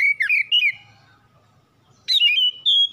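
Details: Home-kept oriental magpie-robin, song played to provoke singing: a short warbled whistle phrase with a falling slur, a silent second, then a loud rising note followed by two steady clear whistles.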